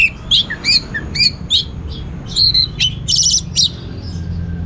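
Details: Orange-headed thrush pouring out varied song in the teler style: short whistled notes and high sharp chirps, separated by brief gaps, then a dense high trill, with low background noise throughout.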